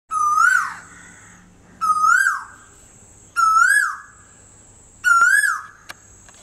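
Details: Asian koel (cuckoo, Kuli Sorai) singing from a home tree in Bagharbori, Panjabari, Guwahati: four loud, clear whistled notes, each swelling upward then dropping, repeated about every one and a half seconds against a quiet background.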